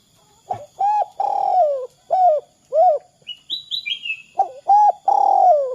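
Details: Spotted dove giving its "kuk 2" call style, used as a lure to set other doves calling. Low, hollow coos run in a steady series, some drawn out with a falling tail. A few thin, high chirps from another bird come midway.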